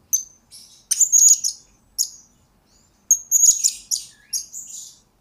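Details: Blue-crowned hanging parrot used as lure and master recording for training birds: shrill, high twittering bursts of rapid chirps, a long burst near one second and another near three seconds, with short single squeaks between, on a silent background.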